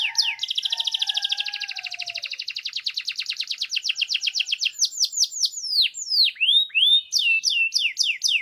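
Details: Canary singing as a mating stimulus, starting with a rapid rattling trill of repeated notes that slows into clear sweeping whistles, deep downward swoops and quick upslurred chirps, with a faint low whistle at the beginning.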